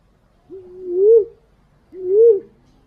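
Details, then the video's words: Green pigeon call used as a lure: two separate mellow whistled notes, each starting low and climbing gradually before a quick upward flick and fall, about one and a half seconds apart, against a quiet background. "Suara burung punai/walik ampuh buat pancingan"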